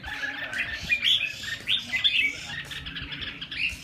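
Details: Red-whiskered bulbul giving scattered whistled notes and short chattering phrases against a hissy, busy background, with a few brighter upslurred notes standing out.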